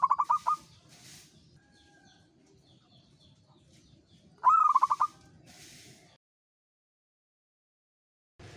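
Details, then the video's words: A local perkutut, or zebra dove, singing freely in the ngayer style. A tail-end of staccato notes is followed by one full phrase: a rising note, then a fast series of short, ringing beats. The recording then falls silent. "SUARA PERKUTUT LOKAL URAA UMUM GACOR NGAYER"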